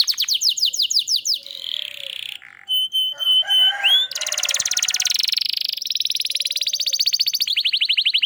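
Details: Canary singing to prompt other canaries to sing: quick downward chirps, a buzzy burst, pure held whistles with a rising slur, then a long fast rolling trill of even, rapidly repeated notes.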